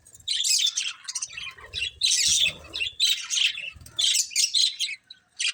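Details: Budgerigars playing, giving bursts of bright, warbling chirps and harsh squawky notes in clusters roughly a second apart, separated by short quiet gaps.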